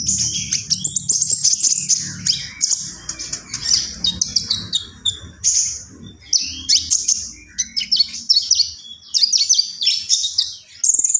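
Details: Common iora in extended persistent song: bursts of high rapid twitters and chirps with short pauses between phrases, steady and energetic, over low background rumble.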